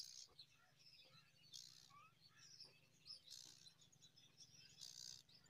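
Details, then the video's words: Myna nestlings, five in the brood, call while a parent feeds them date fruit: rasping, hissy begging bursts every second or two, interspersed with faint twittering over a constant low rumbling background. "Beautiful Myna feeding date fruit to little five babies"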